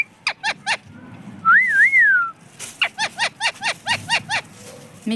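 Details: Pet parrot that speaks the words mummy and papa. A few sharp chirps, then a loud double-humped whistle, followed by a rapid even run of about ten clipped chirps.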